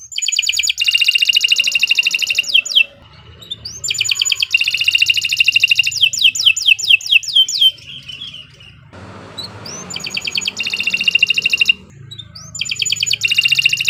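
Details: Canary in full, continuous song, described as a long-singing bird suited for tutoring other canaries: fast rattling trills between 2 and 8k alternate with sweeping downslurred notes, with short pauses between phrases and faint low hum beneath.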